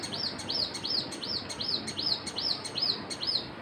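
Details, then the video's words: Evenly paced bird chirps, about three per second, each a bright high note that rises and falls, over gentle background noise. "Birds chirping"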